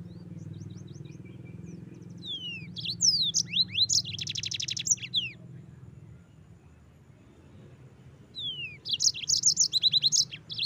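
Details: Yellow-fronted canary (mozambik) in lively, sustained song, meant as tutor material for white-eyes: after a quiet start, rapid high twittering bursts with sweeping whistled slurs and a dense trilled buzz, then a pause and another sparkling run near the end.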